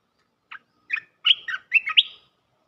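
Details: A red-eyed bulbul, recorded as a trapping lure call, gives a quick, bubbly phrase of about six liquid, gurgling notes, rising and falling through a mid-high pitch, over a quiet background.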